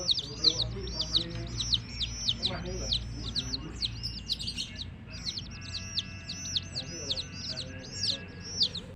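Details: Baby chicks with a hen keep up a lively run of high arched peeps, many overlapping, pausing around the middle, then resuming; a steady low hum and occasional lower murmurs sound beneath.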